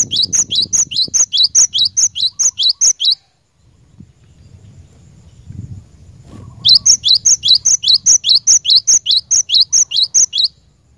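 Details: Cinereous tit used for training caged birds singing long, regular strings of high, sharp rising notes, two bursts of about ten or more notes with a quiet gap and faint low noise.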